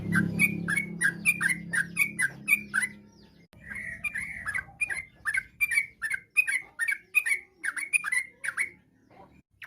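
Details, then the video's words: Varied chatty song of a Yellow-vented bulbul used to draw replies from other bulbuls: a steady series of separate, liquid, down-slurred whistled notes, a little over one per second, with faint low background hum early on. "trucuk gacor, bikin trucuk lain nyaut seketika.! trucuk ropel, trucuk nggaruda, kicau trucuk fariasi"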